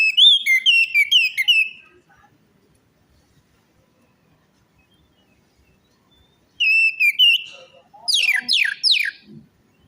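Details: Orange-headed thrush song for encouraging a bird that will not sing or is stressed: a rapid series of rich whistled notes, a long pause, then more whistled phrases ending in quick downslurred sweeps.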